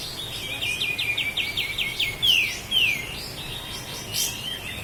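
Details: Sooty-headed bulbul from Lahat, a training master for cage birds: short run of rapid ticking chirps, then two strong descending whistles and softer warbled notes fading out.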